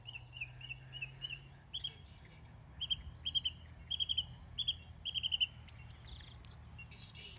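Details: Song thrush singing during an autumn walk on 5 June, heard as a rare visitor. Bright, clear phrases around mid-high pitch, each repeated two or three times in quick succession, then harsher chattering notes, over a low steady hum early on.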